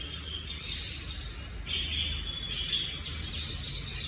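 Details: Timbrado canary giving slower song phrases: sustained flat whistled tones and short trills at high pitch, shifting between held notes, with low-frequency background noise throughout.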